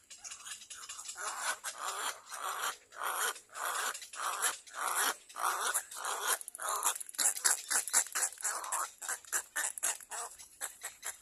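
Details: Little egret chick biting its mother's bill while begging: loud, harsh, rasping bursts in a rapid uneven series, about a hundred per minute, growing quicker and choppier toward the end.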